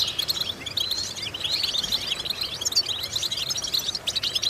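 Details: European goldfinch song used as a vocal exercise to stimulate and train goldfinches; rapid, dense high twittering with buzzy trills and chirps that runs without pause, over a faint steady background hiss.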